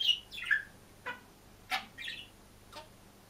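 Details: Budgerigar alone in a cage, singing and chirping: a quiet run of short varied chirps and squeaky notes, some sliding downward, spaced irregularly over three seconds in a small indoor room.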